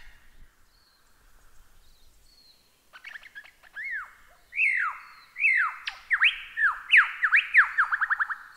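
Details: Lyrebird song used as training material for cage birds: quiet buzzy murmuring at first, then loud ringing downward-sweeping whistles and rapid laser-like descending notes, growing louder and denser toward the end.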